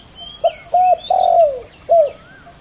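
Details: Male spotted doves competing against each other: a brief coo, a flat held coo, then a long rough coo falling in pitch, followed by another short coo; small birds twitter softly in the background.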